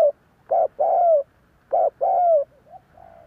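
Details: Spotted dove coo used to draw other doves into answering: two phrases, each a brief clipped note followed by a drawn-out, slightly falling coo, with a faint soft note at the end.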